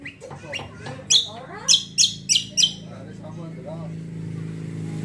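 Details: Greater green leafbird (cucak kombo) used as a lure song to set other birds singing: human voices and soft chatter at first, then five sharp, high, piercing chirps in quick succession over a steady background hum.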